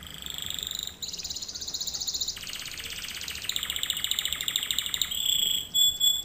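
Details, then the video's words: Canary lesson song: continuous high rolling trills changing tempo every second or so, some buzzy and dense, ending with a few short clipped high whistles. "Canary Singing - lesson 36"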